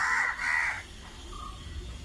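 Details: Crow cawing live: two harsh, hoarse caws in quick succession, followed by a fainter short call.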